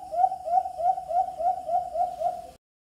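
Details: Hunting playback of a white-eared brown dove (alimokon) on a Bluetooth speaker: eight quick, even hooting coos at a mid pitch, roughly three per second, ending abruptly.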